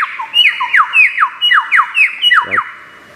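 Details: Mimicking lyrebird of Australian forests delivering a loud rhythmic series of about ten sharply descending squawky whistles, evenly spaced roughly three per second, with a brief low rattle near the end before fading.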